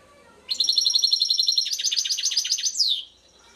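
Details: European goldfinch singing a rapid three-second phrase of bright twittering notes, steady metallic trills shifting into quicker stuttering chirps and ending in a falling slurred note, clean background.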